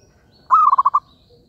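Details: One zebra dove call from a trapping lure: a clear drawn note sliding into five quick, evenly spaced cooing pulses, lasting about half a second.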